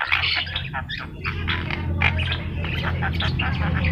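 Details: A yellow-eyed Javan myna in full, persistent song, played as a training recording for other birds, gives a continuous run of harsh, chattering and squawking notes with a few clearer whistles over a steady low hum.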